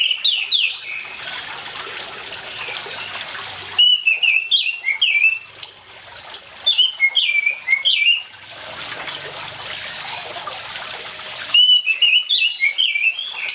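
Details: Orange-headed thrush singing energetically with water sounds behind, a lure for birds that have stopped singing: bursts of rapid, jumbled whistles and chirps, some mimic-like, come in spells of several seconds separated by stretches of flowing water.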